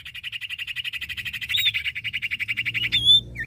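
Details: Common iora, male and female, in animated song: a steady buzzy trill repeated about ten times per second for three seconds, closing with a clear high whistle and a short downward note.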